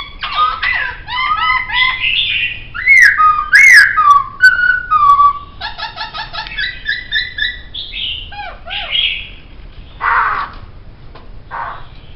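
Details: Laughingthrush song for songbird training, a long varied sequence of rapid chatters, ringing whistled slurs and descending notes, ending in softer rough bursts.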